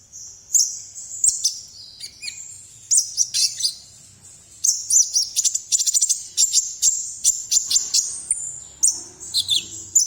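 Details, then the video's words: Konin bird singing vigorously in the morning: bursts of high, thin chirps and rapid twittered trills, some notes sliding down, repeated in clusters with short pauses; faint low rumble in the background. "BURUNG KONIN GACOR DI PAGI HARI"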